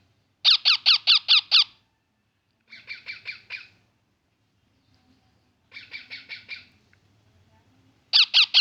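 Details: Baby parrot chirping in rapid bursts of five to seven harsh, scratchy notes, each burst lasting about a second with long pauses between; the opening and closing bursts are loud, the middle two softer and thinner.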